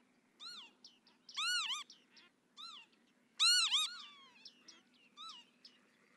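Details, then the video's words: Northern lapwing calling: several arched, wheezy, slurred notes, rising then dropping in pitch, given singly and in quick pairs with rich harmonics, the loudest near the middle, over a faint steady low hum. "Чибис, голос, Ызгыт"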